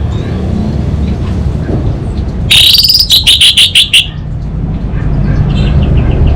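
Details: Orange-headed thrush singing gacor 'kabel konslet': after quiet rumble, a sudden loud burst of rapid buzzy, pulsing notes lasting about one and a half seconds, then low background noise returns.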